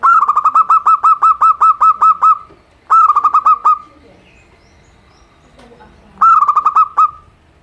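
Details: Simple song of a local zebra dove, meant to encourage reluctant birds to sing: a long string of about ten rapid, bubbling coos, a short run, silence, then another rattling series.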